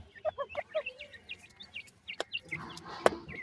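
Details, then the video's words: Dakhni teetar (francolin) chicks: a quick run of short, high upslurred peeps mixed with lower clucking notes, then scattered sharp clicks and knocks. "top dakhni teetar chicks awaz"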